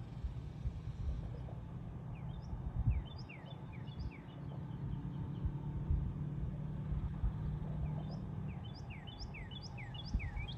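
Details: Barn swallows in large numbers give clustered bursts of high, thin, downslurred chirps that overlap from several birds at once, with a quieter gap midway, above constant low outdoor rumble.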